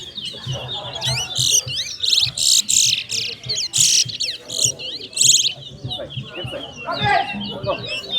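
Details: Towa towa, the chestnut-bellied seed finch, singing during a head-to-head singing competition: dense bursts of bright, trilled chirps and quick whistles in loud surges, a voice counting the calls and faint music behind.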